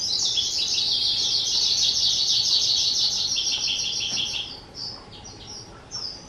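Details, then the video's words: Kept two-year-old skylark on 18 April 2023 delivering a rapid buzzy trilling run that holds for about four seconds, then breaks into a few separate short whistled notes as it fades. "Chim Sơn Ca 2 Tuổi"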